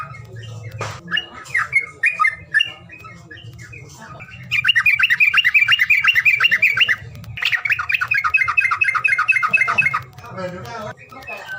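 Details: Bird calling sound meant to prompt reluctant birds to sing: scattered squawky chirps, then two long, dense bursts of rapid, buzzy, chattering notes, with a low hum beneath.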